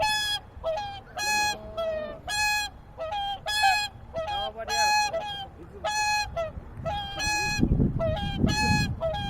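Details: A group of swans resting on Lake Utonai, Tomakomai, Hokkaido, calling back and forth with regular trumpeting honks roughly every second, some softer lower notes between, and a brief low rumble near the end.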